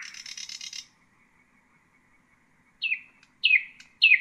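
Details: Nightingale song for training young birds: a dense buzzy trill, a second or so of quiet, then three loud downward-swooping whistled notes spaced about half a second apart.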